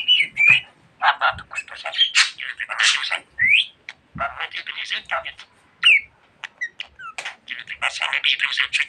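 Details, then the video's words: Pet budgerigar chattering at length, rapid bursts of raspy speech-like syllables broken by bright rising whistles and short gaps, in a small quiet indoor space. "Muhabbet Kuşu Çimen Çok Konuşuyor.~Budgie Grass Talks a Lot"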